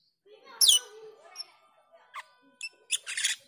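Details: Black-winged myna (jalak keling) calling as a lure for training cucak keling: a loud harsh screech, then short chips and a rough burst near the end, over a faint low murmur.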